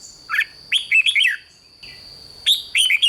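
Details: Caged-bird red-whiskered bulbul song, used to rouse other caged birds: lively chattering whistles in quick bubbly phrases, a short lull, then another burst of warbled notes over a constant thin high hum.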